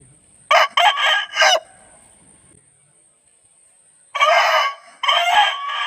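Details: An Aseel rooster, recorded close-up, crows in loud, hoarse bursts: a choppy opening phrase and then a long drawn-out finish.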